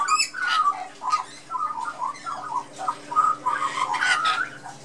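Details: Young Australian magpie chick in a back garden, chatting with lorikeets and blue-faced honeyeaters: a busy run of short warbling, gurgling notes in quick succession, with harsher squawks mixed in and a steady low hum underneath.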